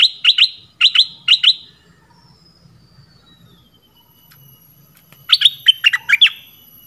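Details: Red-whiskered bulbul from southern Thailand used as a lure. Three quick, bright chirped phrases open the recording, then a pause with faint high hum, then a tumbling burst of five or six sharp notes.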